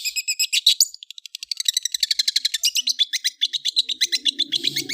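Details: Long-tailed shrike giving a dense chattering song, about four short high notes a second in a fast, slightly uneven stream, with a brief pause near the first second.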